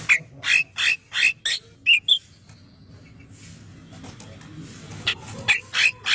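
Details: Male cucak kinoi bulbul singing a clear-voiced song used for training other birds: short bursts of sharp chirpy notes with whistled peaks, about one every half second, then a quiet pause before the bursts resume.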